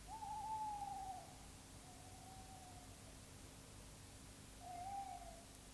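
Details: Tawny Owl at night in Wytham Wood, about three miles west of Oxford, around mid-April 1973 during nesting, gives a long, level, mellow hoot that fades out, then a shorter hoot about four seconds later, over a low steady hum.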